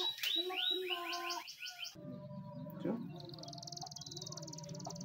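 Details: Canary singing a Timbrado training song: rapid repeated downslurred notes high in pitch for about two seconds, then a faint sustained buzzy trill with low background hum.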